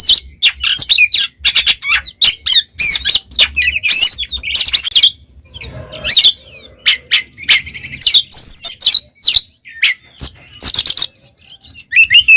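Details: Oriental magpie-robin singing in a loud, vigorous gacor ngeplong style, used for training pet birds: rapid sharp chips, sweeping whistled notes and scratchy trills delivered in quick bursts with brief pauses.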